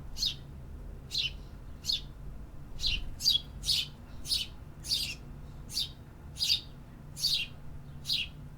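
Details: Singing city birds in an urban environment repeat a crisp high chirp about a dozen times at a fairly steady quick pace, with a soft low background rumble throughout.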